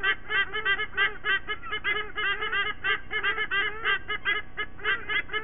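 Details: Morning song at a white-bellied sea eagle nest in Sydney Olympic Park, Australia, late September 2023, adults joined by two chicks. Dense chattering honks run almost continuously, fast and cackling, with a low background hum.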